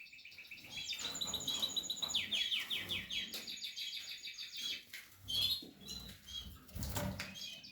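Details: Portuguese harlequin canaries from a breeding setup, with chicks in the nest: dense high chirping and fast rattling trills, several notes per second, layered over one another, with brief soft knocks underneath.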